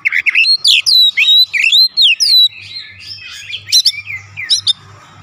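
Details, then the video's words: Oriental magpie-robin at home, singing to trigger replies from other birds: rapid string of rising and falling whistled notes, then softer scratchy twittering and a few sharp high notes, faint low hum beneath. "AUTO RESPON NGEPLONG GACOR KACER ANDA DIRUMAH"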